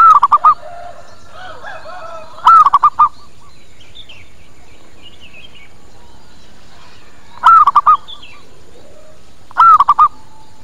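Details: Zebra dove lure call for attracting birds: four rolling coo phrases spaced unevenly over ten seconds, each a long note then quick bubbling notes, with faint softer bird chirps in the gaps.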